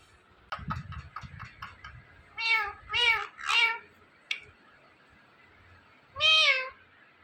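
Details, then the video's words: Indian ringneck parakeet, a pet talking parrot, with soft clicks and taps, then three loud meow-like mimicked syllables in quick succession, a brief click, and one more drawn-out mew after a pause, in a quiet room. "Indian Ringneck Talking Parrot"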